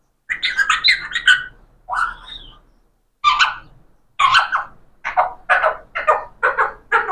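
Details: Talking parrot producing speech-like syllables: a quick run of four bursts, a lower drawn-out sound, then after a pause a steady rhythmic series of about eight similar harsh voiced syllables, evenly spaced and mid-pitched, with brief silences between phrases.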